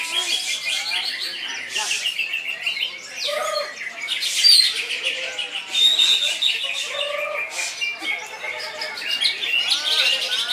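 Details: Greater green leafbird (cucak ijo) singing in the full, sustained koncer style: a dense, loud stream of varied chirps, squawky notes and bright whistles, with short warbled phrases running back to back throughout.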